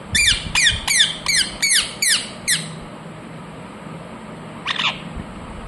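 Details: Pet ringneck parrot giving its natural calls: seven sharp, harsh, downward-sliding screeches in quick succession, then a pause and one more shrill screech.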